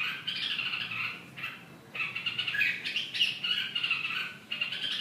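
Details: Red-whiskered bulbul with buzzy, rasping phrases, longer runs broken by short gaps, in a quiet setting.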